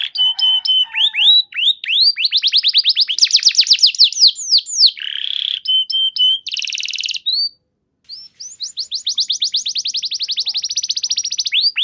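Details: Canary song used to prompt other canaries to sing: steady whistled notes, fast runs of repeated notes, harsh buzzy bursts and a brief pause before a long rapid trill.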